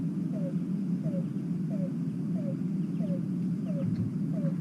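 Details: A Yellow-billed Cuckoo gives its quiet call in a forest: a run of short, hollow, slightly falling notes, about one every two-thirds of a second, over a steady low rumble.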